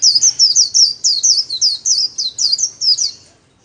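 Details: White-eye 'líu' solo, a song style kept birds are trained in every day. A steady, fast string of high, slurred, twisting whistles runs for over three seconds, then stops.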